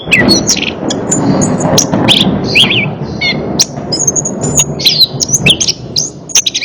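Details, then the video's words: Orange-headed thrush singing, played as therapy for a bird that won't sing; bright whistled and twittering phrases rise above a steady low rumbling background noise throughout. "Terapi Burung Anis Kembang | Atasi Burung Anis Kembang Malas Bunyi Ikut Nyaut"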